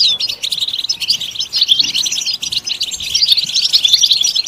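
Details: {'caption': 'European goldfinch twittering rapidly, with bright, liquid, high notes run into a steady chatter, song offered to encourage other goldfinches to sing.'}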